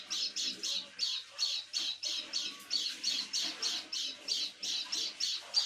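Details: Pet white-eye making its odd evening call near nightfall, a long run of around seventeen short rasping, buzzy notes delivered rapidly and evenly.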